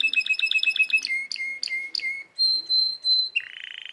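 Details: Canary song made of quick repeated chirps, then a series of short clicks over a steady low whistle, a high sustained rattling tone, and a closing buzzy trill; fast, bright, and continuous.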